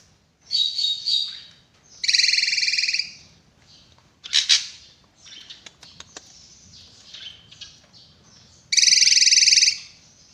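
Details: Drongo in sharp, loud song: harsh buzzy bursts about a second long, layered with bright overtones, separated by short gaps and softer chattering notes, with a final strong rasping burst.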